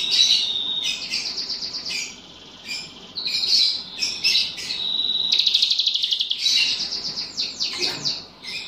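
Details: Vigorous singing from a bulbul trained to include cicilin songs: almost continuous high twittering phrases, thin drawn whistles and a fast rattled trill, ending in quick descending chips.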